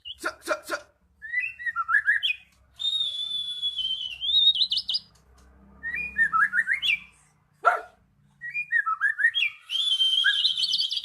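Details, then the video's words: High, fluent magpie-robin warbling used as a lure for a non-singing bird: sharp clicks, sweeping whistled phrases, a sustained high note, and one harsh rasp between phrases. "Pancingan Burung Murai Macet Jadi Gacor"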